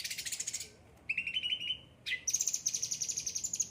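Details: Caged cucak ranting singing: a very high rapid rattle, a gap, a steady trilled phrase, another pause, then an upward slur into a long high rattling trill.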